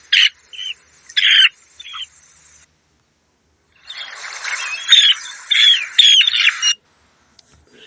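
Dunlin giving harsh, buzzy, rasping notes, a few short calls, then a brief pause and a busier run of rough, scratchy calls.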